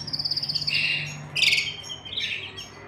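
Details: Canary family in a cage, the adults tending chicks in the nest: a quick high trill slides into a lower buzzy note, followed by two harsh chirping bursts.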